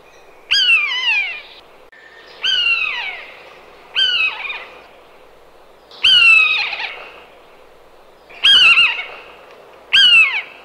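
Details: Common buzzard (Buteo buteo) giving six loud, drawn-out mewing calls, each a harsh, downslurred, slightly quavering cry repeated about every one and a half to two seconds, with quiet pauses between.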